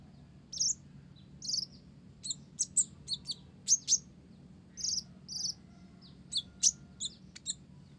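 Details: Olive-backed sunbird, blorok type, singing vigorously with Java sparrow imitations. A steady stream of high chirps and short buzzy notes spills out irregularly over a noticeable low hum.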